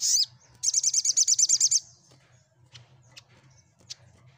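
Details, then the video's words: Sunbird song intended to provoke answering birds: an opening sharp chirp, then a rapid, even string of about ten bright high notes, fading into faint distant ticks over a low hum. "Cukup Sekali Putar SogokOntong Bisu Pasti Langsun Ikut Nyaut & Gacor"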